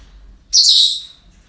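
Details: Single loud, rasping, high-pitched parrot squawk lasting about half a second, heard at a breeding centre on an everyday day, over a quiet low hum.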